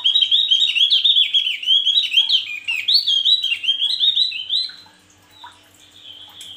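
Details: A male Javan grey-throated white-eye pours out a fast, high, twittering song of rising and falling chirps, then fades to softer scattered notes near the end.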